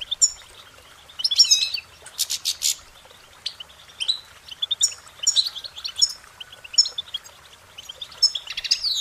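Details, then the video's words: Goldfinch song made of lively phrases of short, high chirps and slurred twittering notes. A burst of rapid, buzzy notes near the start gives way to bright repeated phrases about every second. "Goldfinch Singing their Song"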